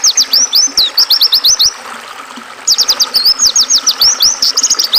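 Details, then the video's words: Oriental white-eye song, used to train and calm caged songbirds, mixed with river water: quick bursts of high, slurred, down-then-up notes in rapid strings, a pause near two seconds, then another fast run over a soft flowing hiss. "Suara burung pleci dan suara air sungai"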